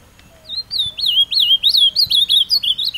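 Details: Captive ultramarine grosbeak taken outdoors to a scenic spot to sing, giving a fast run of sweet, slurred whistles, each note dipping and rising in a lively warbled phrase; faint background hum.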